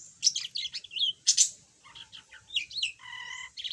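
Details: Pet yellow budgerigar, formerly mute, chattering: fast scratchy chirps and clicks, then a lower buzzy, nasal note held for about half a second.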